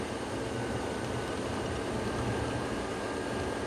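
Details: Steady, dense engine-like rumble fills the sunrise safari drive in the Sabi Sand, with no animal voices standing out.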